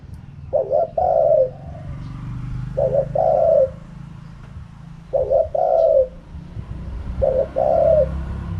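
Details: Spotted dove cooing steadily in the 'kharom pa' wild-style voice: four phrases roughly two and a quarter seconds apart, each a quick doubled note then a long, softly falling coo, over low rumble.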